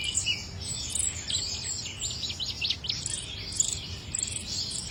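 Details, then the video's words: Song of the chích nâu: a fast scratchy warble of rapid descending slurs and chips, delivered in a dense stream with a faint low hum behind. "chim chích nâu hót"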